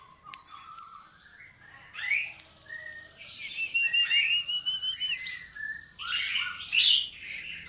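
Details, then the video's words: Sooty-headed bulbul giving bubbly, whistled phrases with a few harsher chattering notes, delivered in quick bursts over several seconds. "burung Sirtu Gacor"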